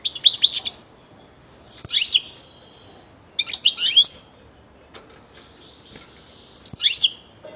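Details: European goldfinch kept as a pet, uttering four short clusters of bright, high-pitched twitters spaced a second or two apart, with light clicking noises in the pauses.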